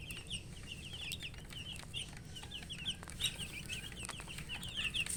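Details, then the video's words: Thirsty domestic chicken chicks wanting drinking water chirp in a dense chorus: short high peeps, many slightly downslurred, repeated several times a second throughout, above a low steady background hum. "Murgi chicks Chirping sounds"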